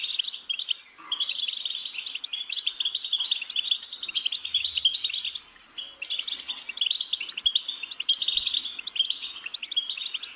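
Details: Goldfinch song flowing steadily, with repeated tinkling phrases and rolling liquid twitters interspersed with buzzy notes and occasional soft knocks in the background.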